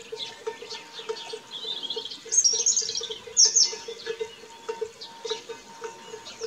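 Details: Song thrush young, probably three, being fed by their mother at a nest in a garden; thin, high squeaky begging bursts cluster midway, two sharp peaks, over a steady pulsing low background tone and faint scattered chirps.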